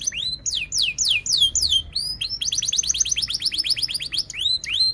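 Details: Canary song in a long, lively burst: series of swooping whistled notes falling from high to mid pitch, then a fast run of rapid repeated chirps, ending with rising whistled slurs.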